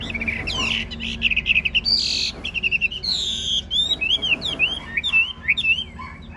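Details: Caged Chinese hwamei of large build sings in the long 'ngũ trường' style while nodding in a 'lion dance' display: rapid high whistled notes, buzzy bursts and looping slurred phrases, with a faint low hum beneath.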